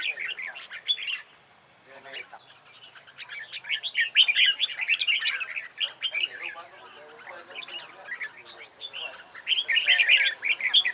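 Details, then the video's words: Competition-style singing (hót đấu) of a red-whiskered bulbul being trained to sing well: lively runs of jumbled chirps and whistles, rising to a dense, excited burst near the end. "CHÀO MÀO HÓT ĐẤU HAY"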